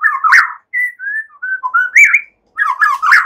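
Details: White-rumped shama in relaxed song mixed with cililin and ciblek imitations, used as a teaching song for songbirds: warbled, slurred whistles in short phrases, some rising and some falling, with a brief pause before a final warbled burst.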